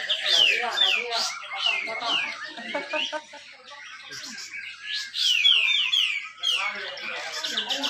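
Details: At a songbird contest in Malinau, North Kalimantan, a caged grey-cheeked bulbul sings tight 'besetan rapet' phrases of quick descending whistles in bursts, overlapping with many other birds and low background noise.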